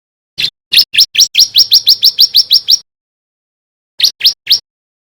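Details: Male bar-winged prinia of the 'kristal dada putih' type, learning the loud 'gacor' song used to lure other prinias: a burst of about twelve rapid, rising, chattering notes, a pause of over a second, then three more.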